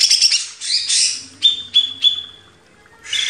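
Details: Caged greater green leafbird giving harsh noisy bursts followed by three clear, evenly spaced whistled notes and a final burst, in a master recording for training cage birds.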